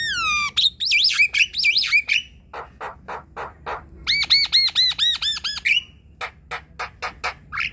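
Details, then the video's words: Asian pied starling song played to coax a silent bird into singing: a falling whistle, wavering whistled phrases, dry rasping notes, then a run of arched, harmonic-rich whistles repeated about every quarter second, then short clicks. "Jalak kebo ombyokan coba putarkan suara ini untuk memancing bunyi"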